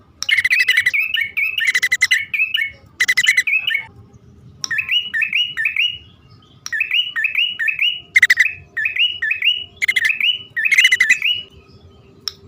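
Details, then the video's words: Lure recording of bar-winged prinia, male and female calling: runs of slurred upward-sweeping chirps repeated in quick series, broken every few seconds by harsh buzzy rattling bursts, over a soft low hum. "suara pikat prenjak poci/hutan jantan dan betina memanggil jitu"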